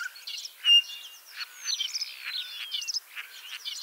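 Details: Spring song of a ringed common starling in Liepāja, Latvia, returning for the third year: a loud clear whistle, then crackling clicks, wheezy notes and a long falling whistle.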